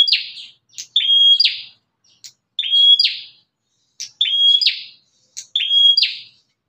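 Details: Bar-winged prinia, described as fierce, whose voice can lure other prinias: a flat, high whistled note, then a harsh buzzy downward sweep, repeated about every 1.3 seconds over a quiet background.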